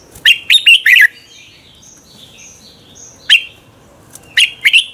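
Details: Red-whiskered bulbul in competition song at morning, a training recording: a quick run of four loud warbled whistles, soft thin background notes, then a single sharp note and a closing pair of bright phrases.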